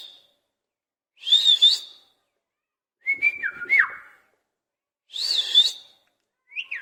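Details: Pet parrot in a cage, imitating a cat's voice: separate bursts of wavering, nasal whistles and falling chirps about every two seconds, with silent gaps between them.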